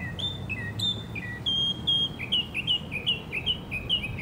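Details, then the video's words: Northern mockingbird song from Hermann Park in Houston, Texas: rapid series of bright, clear whistled notes, each phrase type repeated several times in quick succession, about two to three per second, over a steady low rumble. "Sabiá cantando nos Estados Unidos - Northern mockingbird singing Mimus polyglottos"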